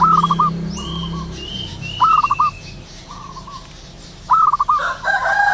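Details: ['Zebra doves calling in the wild at morning, several birds giving stuttered pulsed coos with held endings, one loud bird repeating every two seconds or so, overlapping distant doves and high whistles from other birds, low rumble early on.']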